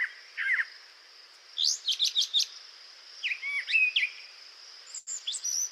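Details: A Brown Thrasher sings for 40 seconds without repeating a phrase: quick upslurred chirps, buzzy notes and warbled squeaks changing about every second, over a steady high insect hiss.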